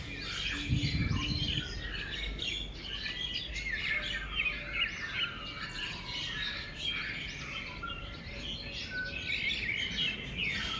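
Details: Several birds twittering and chirping outdoors in nature, busy high-pitched overlapping phrases with no steady rhythm, over a constant low background hum and a brief low thud near the start.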